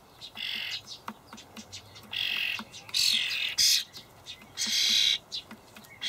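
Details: Begging juvenile starlings in a Hamburg allotment, 28 May 2012, fed by parents with dried buffalo worms; rough, wheezy squawks of uneven length, some louder and longer, with light tapping clicks in the gaps.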